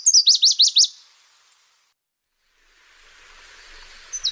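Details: Closing part of a Nashville Warbler song, the 'car starting' warbler: a rapid string of about five lower, steeply falling chips. Soft hiss follows, then the first high note of another phrase.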